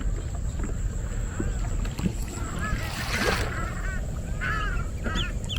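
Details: Ruddy shelducks at the Mangalajodi wetland in the morning, some flying overhead and many sitting below, give nasal, honking calls in short bursts over a steady engine rumble.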